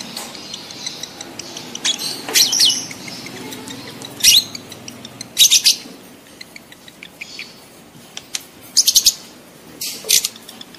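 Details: Lovebird mating call: scattered bursts of shrill, scratchy chirps separated by pauses of one to two seconds over a soft background hiss, with rapid squeaky clusters near the end.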